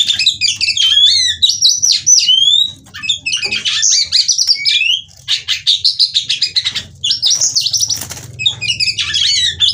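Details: Female white-rumped shama, kept for stimulating singing in other birds: dense, rapid bursts of varied whistles, sweeping slurs and buzzy notes high in pitch, in several busy phrases with short breaks.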